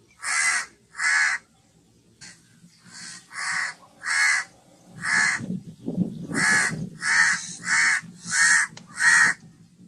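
A house crow gives about fourteen harsh, nasal caws, some in quick pairs, with a short pause early on; a low rumble sounds briefly midway.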